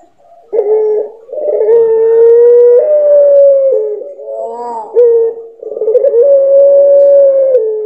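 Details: Puter pelung dove singing: long drawn-out tonal coos held steady, rising slightly partway through, with a brief rough, broken passage early on and a wavering section near the middle before a final sustained note.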